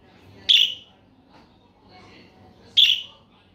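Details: Budgerigar uttering two strong, high chirps a little over two seconds apart, with soft twittering in between.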